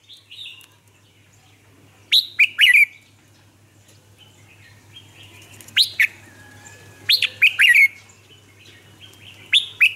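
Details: Vietnamese training recording of a lure red-whiskered bulbul for caged birds and new captives: loud, bouncy, upward-sweeping whistled notes in groups of two to four, repeated every few seconds, with softer warbles between and a steady low hum.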